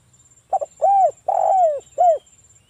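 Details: Spotted dove song meant to lure other doves into calling: one phrase of a quick double note, a rounded coo, a long drawn-out coo falling at the end, then a final short coo.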